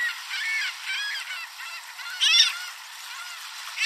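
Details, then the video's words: Canada Geese by a lake, in a mixed flock with Mallards and gulls being fed birdseed, give nasal, harmonic honks in quick succession with one louder burst midway, as a Ring-billed Gull pecks a goose. "Hungry and Angry Seagulls, Geese, and Mallard Ducks - Funny Wild Birds - Bird Calls and Sounds"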